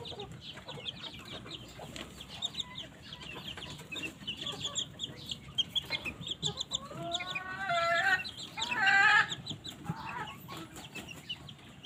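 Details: Several Polish chickens warming in the morning sun cluck and murmur together, with a louder, drawn-out squawking call near the end over a steady background hiss.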